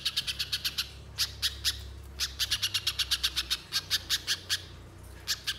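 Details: Rapid chip series from a little spiderhunter, played as a lure to prompt long, energetic singing; bright, high, staccato notes delivered in several bursts with small gaps, steady and insistent.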